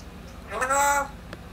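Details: Pet parrot, kept by its owner for ten years, calling the owner's name: one drawn-out voiced utterance of about half a second with stacked harmonics, over quiet indoor hum.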